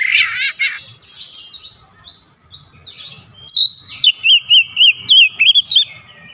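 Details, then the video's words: Oriental magpie-robin (kacer) song that sets other kacer singing within seconds. A buzzy, rasping opening leads into loud, clear whistled notes with a bouncing up-and-down rhythm, repeated rapidly in bursts in the final seconds. "HITUNGAN DETIK KACER LAIN LANGSUNG IKUT BOCOR ISIAN SUARA"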